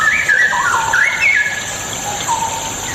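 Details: Straw-headed bulbul song, meant to trigger singing in lazy birds: a brief, rich warbling phrase sweeping up and down, ending in a soft lower whistle, with faint background hiss.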